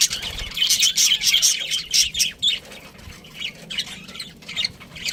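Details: Pet budgie chirping in bursts of rapid high twitters and squawky notes, about two per second at first, then quieter scattered chirps.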